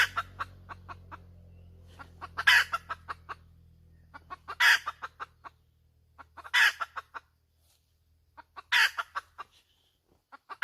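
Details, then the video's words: A hen cackles repeatedly. Clucks lead into loud harsh squawks about every two seconds. A low engine-like drone fades out after the first half. "Suab poj qaib tsauj dib tuaj zoo heev"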